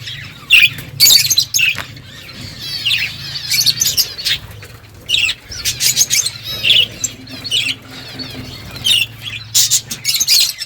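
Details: Budgies chattering as they feed: a long stretch of warbled, rapidly bending twitters and squeaks, broken by loud dry clicks, over a quiet low hum.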